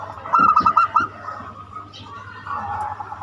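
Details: Zebra dove giving its unique banyumili song, used as a lure for other doves: a single burst of quick, rolling cooing notes at the start, then quieter murmuring and background hum.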